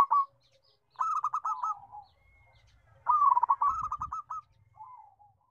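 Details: Zebra dove, local type with a big melodious voice, sings two bursts of quick rolling coos with trilled endings, separated by quiet spells, plus a brief low thump in the background.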